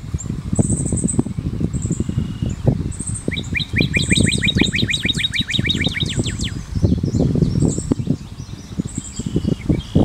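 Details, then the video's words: Northern cardinal delivering a rapid, evenly spaced series of short doubled whistled notes lasting about two seconds, amid constant low rumbling background noise and high thin chirps of other birds. "Cantoria do Cardeal Vermelho"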